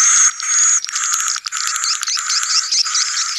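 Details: Swiftlet colony sound used to draw young swiftlets to a new building: dense, overlapping high twittering and chirping with no pauses, opening with a thin steady whistle over the chatter.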